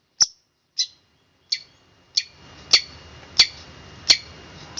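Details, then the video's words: Evenly spaced high, sharp chirps from a long-tailed shrike, about one every two thirds of a second, in the tight "roll speed rapat" style, with faint background hiss in the second half. "cendet roll speed rapat om kicau"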